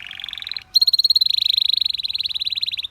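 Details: Belgian canary delivering a short buzzy roll, a brief pause, then a long, even, rapidly pulsing trill.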